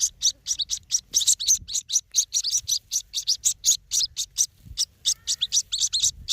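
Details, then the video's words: White-breasted waterhen chicks peep steadily, giving high, thin cheeping notes repeated several times a second, with nothing else heard. "Water hen of baby chick"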